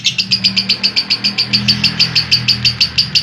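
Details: Long 'ngekek' trill of a lovebird, recorded unedited as a training track for young and lazy adult birds: a steady series of sharp, high, clipped notes about five per second, with a faint low hum behind.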